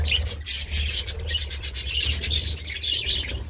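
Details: Budgerigar chatter: dense, rapid high chirps and warbles running almost continuously, with a constant low hum beneath.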